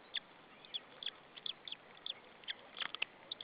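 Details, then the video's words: White-tailed eagle chick on the nest in Saunja, Estonia, recorded 26 April 2013 in the afternoon, chirping while a parent perches on a branch before feeding it; short high thin chirps repeated irregularly, some in quick pairs, over faint background hiss. "Saunja Sulev on the branch, the baby tjirping, then feed the baby"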